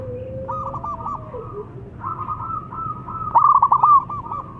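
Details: Loud calling of a local Zebra dove meant to draw replies: overlapping mid-pitched stuttering coos, a fainter lower drawn-out coo early on, then a loud burst of rapid clipped notes ending in a sustained purr, over a low hum.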